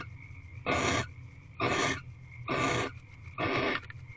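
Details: Reclining female barn owl inside a nest box in late February. She lets out four rasping, hoarse hisses in four seconds, each about a third of a second long, over a faint low hum.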